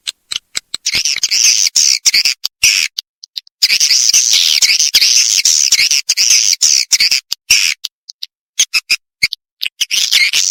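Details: Swiftlets from Kalimantan giving dense, high buzzy twittering in long bursts broken by brief silent gaps, with chattering notes crowding together and sharp clicks between the bursts.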